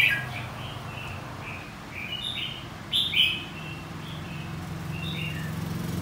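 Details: Red-whiskered bulbul contest song played to train a bird; softer, scattered short whistled notes with one louder warbled phrase midway, over a steady low rumble.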